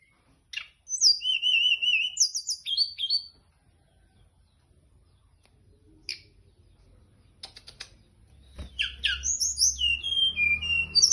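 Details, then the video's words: Teledekan gunung (Hill Prinia) singing actively, wavering high whistled trills and slurred notes at the start, a long quiet gap with scattered clicks, then renewed quick descending whistles over a low rumble. "Kicau teledekan gunung gacor teler"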